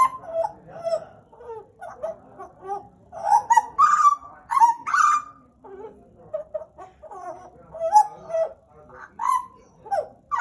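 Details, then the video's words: A captive Pied butcherbird sings, its soft low warbles mixed with louder fluted whistles and downslurred notes in an irregular, rambling phrase. "JAGAL PAPUA GACOR, Cracticus Nigrogularis"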